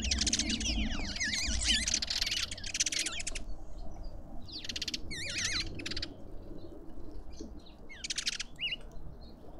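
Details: Several lovebirds at a feeder in a suburban Pretoria garden, South Africa. A dense burst of shrill twisting squeaks and rasping screeches opens the clip, then thins to scattered wavering chirps with gaps between them.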